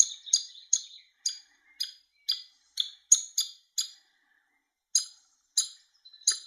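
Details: Hungry woodpecker chick begging while a male woodpecker feeds it: sharp, high chirps in quick bursts roughly every half second, a short pause, then three more spaced chirps.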